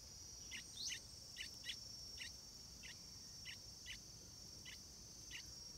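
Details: Bulbul nestlings of the stripe-throated species, ready to leave the nest, repeat short scratchy chirps roughly every half second, with a continuous high cricket buzz behind.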